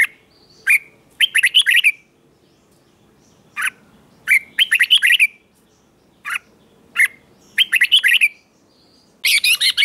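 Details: Morning training song of a red-whiskered bulbul, with lone clipped notes leading into fast, bright chirping runs, repeated in a steady cycle with short silences.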